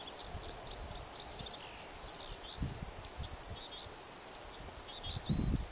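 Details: A Northern wheatear, from a group of two males and one female in northern Germany on 6 March 2013, gives a fast, scratchy, chattering burst and then short, high, thin whistles, faint beneath steady wind rumble and a few low thumps.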